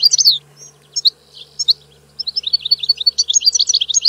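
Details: Goldfinch singing a few separate high chirps, then a fast continuous run of liquid twittering and trilling notes from about two seconds on; a low steady hum sits beneath.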